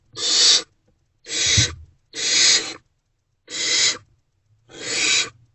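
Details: During nighttime food deliveries in a barn owl nest box on 28 February 2024, five harsh, breathy screeches sound at irregular intervals, separated by quiet pauses, with one low thump.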